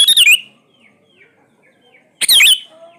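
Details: Two brisk, loud phrases of slurred, liquid whistles from a sooty-headed bulbul, separated by near silence with faint twitters, part of a lure recording for reluctant singers.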